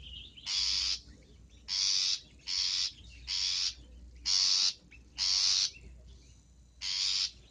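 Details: Lure recording of a long-tailed shrike: seven grating, buzzy rasps at roughly one-second intervals, slightly uneven in rhythm, with a faint thin whistle at the start and quiet background between calls.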